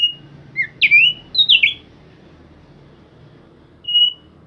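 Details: Thick-billed white-eye singing persistently: short clear whistled phrases around two to four thousand cycles, a slurred rising-falling cluster near the first second and another at one and a half seconds, then a lone pure whistle after a pause.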